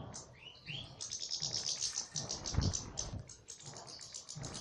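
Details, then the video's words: Goldfinch singing in an aviary. Two rising whistled notes open the phrase, then a long, fast, high twitter of chirps and trills follows, with a brief low thump partway through. "مقطع رائع لطائر للحسون فى السلاكة"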